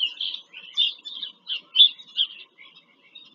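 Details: Bald eagles visiting a nest in Pennsylvania farm country, captured 5 February 2023 by a live nest camera. A rapid series of about eight sharp, high squeaky notes slows and fades away at the end.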